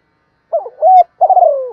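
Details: Spotted dove in the Thổ pha đồng voice style, calling and challenging. A short wavering coo rises into a held note, followed by a long pulsed note that slides gently downward. The background is quiet.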